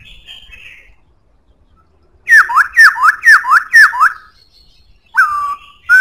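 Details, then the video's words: Black-throated laughingthrush in strong, powerful song: a quick run of six loud slurred whistles, each dropping steeply in pitch, about two per second, then a pause and one longer falling whistle; a faint thin whistle comes first. "Khướu bạc má hót cực hay,giọng khỏe"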